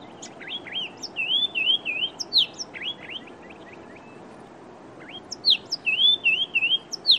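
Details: Chestnut-vented tit-babbler calling: clear whistled notes around high pitch, with wavy warbled phrases and quick upslurred chirps in two bursts separated by a quieter pause, over a low background hiss.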